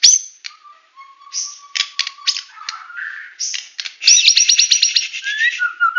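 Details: A white-rumped shama of the Medan variety delivering full tembakan song: high thin whistles alternate with a long low whistled note, followed by a rapid chattering trill and falling whistles.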